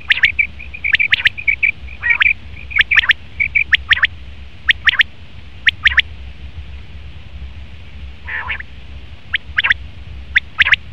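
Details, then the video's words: Male common quail calling in a dense run of short bright notes, then spaced sharp single and paired clipped notes with one rougher rasping burst, over a low constant hum. "Best Common Quail Male sound/Nar batir ki awaz"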